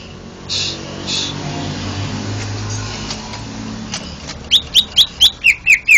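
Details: Noisy, faint rustling for four seconds, then a champion greater green leafbird from a Banten, Indonesia contest bursts into seven quick whistled notes, the last ones dropping lower in pitch.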